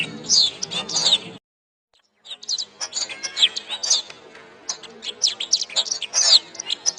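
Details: Singing canary in a master recording for training other birds. Quick high chirps and rising and falling whistles come in tight bursts, broken by a short silent gap near the start.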